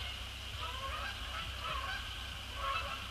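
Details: Canada geese flying in to land on Sapsucker Woods Pond in the post-sunset sky, December 2017; soft, somewhat distant honks, roughly one per second, are set against a continuous high-pitched hum.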